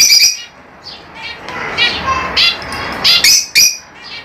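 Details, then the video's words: Lovebirds, small colourful parrots native to Africa kept as pets, give sharp high squawks and chirps in short bursts, a few louder shrill notes near the end over a faint murmur. "LoveBirds Sounds For 30 minutes"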